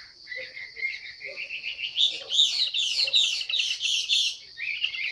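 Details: Female Chinese hwamei giving calls that prompt males to sing: a fast, tumbling series of varied whistled and chirping notes, somewhat blurred, against a constant high hum.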